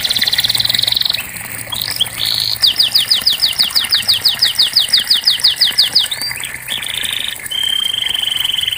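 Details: Canary song played to encourage a reluctant canary to sing: a high buzzy trill, a few slurred whistles, then a fast run of about twenty down-slurred chips, followed by short buzzes and a steady thin trill; faint low hum underneath.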